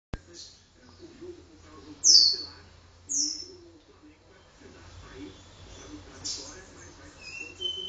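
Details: Caboclinho singing indoors in a room, song of the do-re-mi vibrasom style: a few sharp, very high notes sliding downward, spaced about a second apart, over a low background hum.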